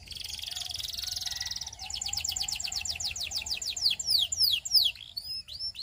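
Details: Song of a Russian canary: a thin, rattling high trill, then a roll of quick descending notes that grow louder and more widely spaced into ringing, sweeping whistles; a low steady hum underneath.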